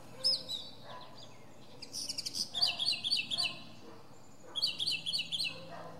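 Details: From a pine treetop, a northern mockingbird sings sharp, high chirps. Then come clusters of quick, bright notes repeated three or four times before the bird switches to a new phrase.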